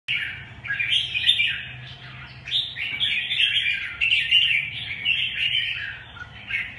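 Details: Red-whiskered bulbul song: a continuous run of bright warbled, slurred whistles, rising and falling phrases packed closely together with brief pauses, dominating throughout over a faint low hum.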